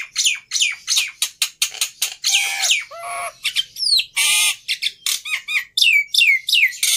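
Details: Singing Black-winged myna pours out quick downslurred whistles and harsh squawks, broken by a longer rough screech in the middle, a busy chattering sequence.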